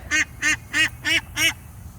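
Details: Domestic duck, one of two newly given ducks, panicking after slipping out under its fence into a garden with chickens: five loud, nasal quacks in a steady series, about three per second, each short and harsh, over a faint low hum.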